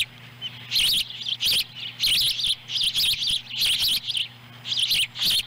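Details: At a nest in Lolo, Montana, July 18, 2017, a female osprey brings a small fish that a chick eats whole. Dense runs of wavering, high, rapidly repeated chirps fill most of the time, with clicks and a low hum.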